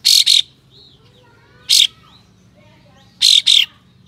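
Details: Harsh besetan song of a tail-spreading white-shouldered triller, used to provoke other trillers into tail display: a loud rasping double shot, a single burst, then another double shot, with soft slurred whistles of other birds between.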